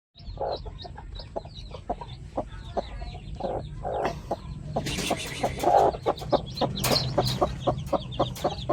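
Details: Pet chickens, a flock including new members, heard in short clucks repeated about four times a second, with a louder burst of overlapping broadband calls and scratchy noise in the middle, over a steady low rumble.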